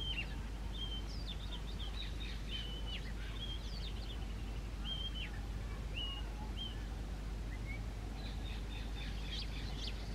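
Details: Male Oriental magpie-robin song: short clear whistles, some slurred up or down, mixed with scratchy chatter, phrases every second or so over steady low rumbling noise.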